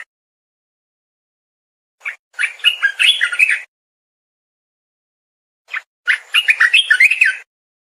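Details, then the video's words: Two warbling phrases from a streaked bulbul, each a brisk run of rising and falling chirps led by a single short note, with several silent seconds between. "Suara Kicau Merdu Merbah Belukar"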